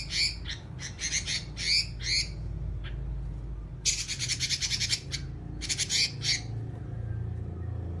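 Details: Robin (red-billed leiothrix) chattering in the long 'nyerecet' manner: about six separate harsh, buzzy high bursts, then a dense rasping rattle and three more scratchy notes. The last two seconds hold only low rumbling background noise.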